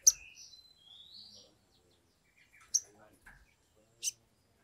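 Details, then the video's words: Sumatran leafbird singing vigorously, offered as a lure to make leafbirds sing. Sharp high click opens a rising, wavering whistle, followed by a few isolated sharp chips and brief soft chatter. "pancingan sogok ontong atau SOGON biar cepat bunyi"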